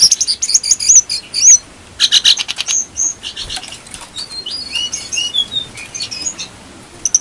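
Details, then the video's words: Brown-throated sunbird in lively song, used as a lure for cage-bird training: fast clusters of high chips, buzzy trills and whistled slurs, with the phrases weaving up and down almost without a break. "Jongkangan gacor"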